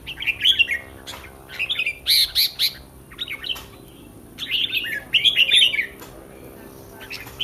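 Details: Caged red-whiskered bulbul before a contest pours out loud, rich warbling phrases of rolling notes in close bursts, separated by brief pauses, over a faint humming background.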